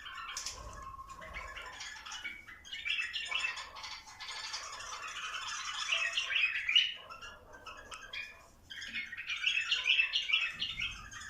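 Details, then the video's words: Bulbuls being encouraged to mate, with busy, overlapping chirping and squawky warbled phrases, mostly high-pitched and sustained in bursts through the recording. "تحفيز البلابل ع تزاوج"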